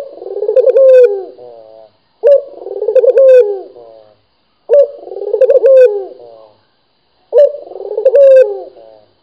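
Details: Steady, energetic 'gacor' cooing from a local dove: four deep, trilling phrases with soft falling tails and short quiet pauses between them.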